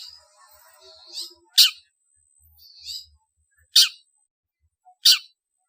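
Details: Long-tailed shrike lure call intended to gather birds: soft nasal chattering, then loud, rasping screeches spaced one to two seconds apart, with faint low knocks.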